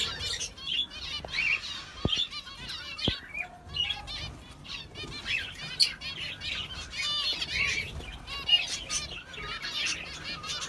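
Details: Sparrows chirping, many overlapping high, rapid twittering notes, with wing flaps and a few sharp clicks.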